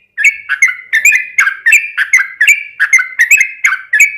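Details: Sooty-headed bulbul in a long continuous song meant to trigger other bulbuls' singing: bright bubbly whistled notes repeated roughly three per second, each with a crisp click above, steady and unbroken.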